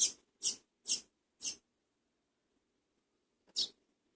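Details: First-brood Double-collared seedeater chick being fed, giving harsh, high, hissing begging notes: four short bursts about half a second apart, then silence and one more burst near the end, in an otherwise quiet setting.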